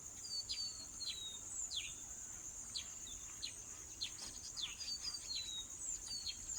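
A bush lark gives quick, high, down-slurred chirps and short sweeps in irregular bursts over a steady, shrill insect drone.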